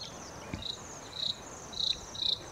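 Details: A Bluethroat singing in Lapland: a series of short, buzzy, metallic notes, repeated about every half second.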